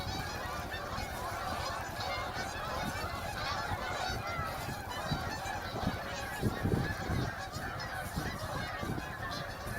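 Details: Several hundred geese take off in a snow storm at Heron Lake, recorded by a snow removal crew. A steady chorus of harsh honks overlaps continuously over a constant low rumbling background.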